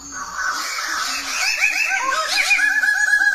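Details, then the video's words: Wild bird singing: a rapid, chattering run of upslurred, harmonic notes that grows louder over about three seconds, opening with a thin high whistle. "kicau burung di alam liar"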